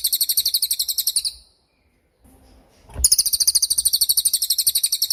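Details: Cililin masteran for tutoring songbirds, including young and moulting birds: a piercing, rapidly pulsed high trill, a short silence, then the same fast trill resumes for two more seconds.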